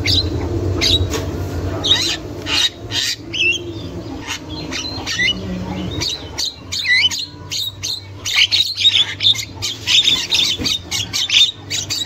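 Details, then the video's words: Wild Javan myna, a female in chatter, recorded to stimulate young birds: spaced harsh squawks early, then a fast run of buzzy, looping whistled notes, with a low background hum throughout. "Burung Jalak Kebo Super Gacor Untuk Pancingan Jalak Kebo Muda"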